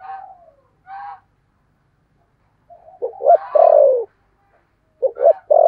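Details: Lure call of a decoy spotted dove in the 'thổ' style: soft opening notes, a pause, then a double short coo leading into a long, falling coo, and another phrase starting at the end.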